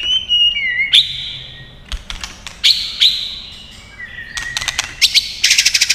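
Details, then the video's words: White-rumped shama in fighting song, tail-flicking and singing long phrases: clear whistled notes near steady pitch, sharp clicking tacks, and a final rapid buzzy trill. "kích Chòe Lửa hót đấu căng lửa.chòe Lửa hót giọng dài"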